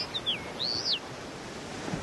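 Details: A male Common Linnet on Île de Batz, Finistère, France, in June 2012 gives a few high, thin whistled notes and one long slurred rise and fall within the first second, then only a steady wash of wind or surf.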